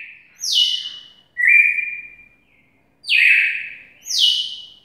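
A red-cowled cardinal sings loud, clear phrases that slide downward, each note sweeping from high to lower pitch.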